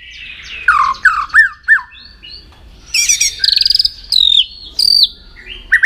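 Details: Contest-trained white-rumped shama pours out a rich varied song: rolling slurred whistles, looping rising notes, fast rattling trills and high sweet phrases that break off and restart.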